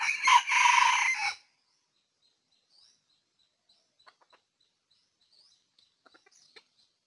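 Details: Red junglefowl (Gallus gallus), Ninh Thuận, Vietnam, 2019, early season, gives one short, harsh, clipped crow lasting just over a second, followed by faint clicks and a thin high whine in near silence.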